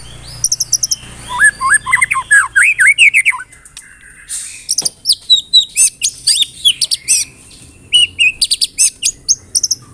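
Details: White-rumped shama singing a pancingan to set off other shamas: a burst of fluty, up-slurred whistles, a short lull, then long runs of crisp, high, repeated chips and ringing notes.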